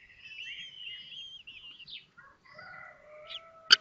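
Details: Common kestrel young at the Théding nest, 19 May 2024, during the fifth hatching: a wavering squeaky call, brief chirps, then a steady low tonal note, ending in a sharp knock.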